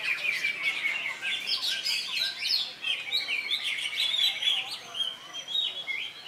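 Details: Greater Green Leafbird at an Indonesian songbird contest on Saturday 3 September, recently moulted and a double winner; bright high whistled phrases and slurred chirps tumbling in a steady stream.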